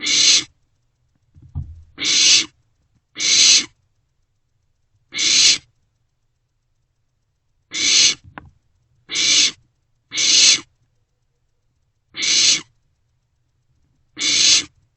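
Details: Barn owlets in a nest box in the early hours of 27 March 2024, sharing food: steady series of short harsh hissing screeches, about ten in fifteen seconds, with a soft shuffling thump early on.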